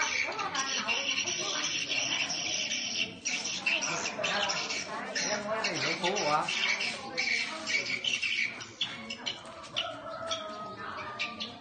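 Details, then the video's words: Swiftlets at a swiftlet house in Bình Định, Vietnam, built only 7 days earlier, drawn in by sound playback: a dense, continuous chatter of high, rapid overlapping chirps, with brief human speech in the background. "CHIM YẾN ĐÃ BAY ĐẦY TRỜI NHỜ TUYỆT CHIÊU ÂM THANH"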